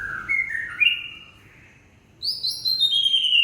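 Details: Aceh white-rumped shama giving gebrak-style song: short warbled whistles stepping up and down, a pause, then loud, high, sweet whistled phrases sliding slowly downward.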